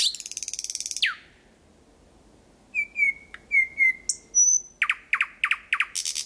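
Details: Night song of a thrush nightingale, Kiili parish, Estonia, 8 May 2020, from 4–5 m: fast rattling trill ending in a downward sweep, silence, then flat whistles, a high note and a series of clipped strokes.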